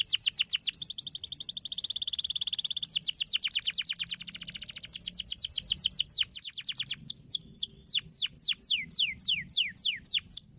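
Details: Singing canary for training caged birds to sing readily: fast rattling trills and a smooth buzzy roll give way to slower, loud, falling whistled notes spaced evenly near the end.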